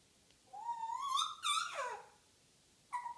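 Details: Female African grey parrot, a pet, in morning banter: a long rising harmonic whistle that breaks into a sliding, falling squeal, followed after a pause by a short steady whistled note.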